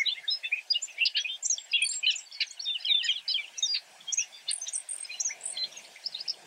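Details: Brewer's blackbirds calling together, a busy stream of sharp high chips and squeaks overlapping without pause for over six seconds, slightly thinning toward the end, with no other clear sounds.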